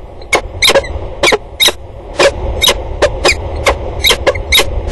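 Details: Harsh chattering calls of peregrine falcons trading calls at Axel water tower, 2 October 2019: abrupt, rasping notes given singly and in pairs, roughly one per second, over a steady low hum.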